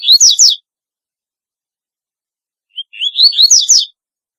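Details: Unusual, distinctive song of a double-collared seedeater: the end of one strophe in sharp slurred whistles, a pause of about two seconds, then a full strophe of rising whistled notes building to rapid bright slurs.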